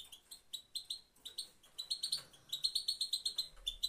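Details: European goldfinch, female, uttering her one call type: clipped high twittering notes repeated fast, about four per second, uneven at first and then steadier and louder toward the end.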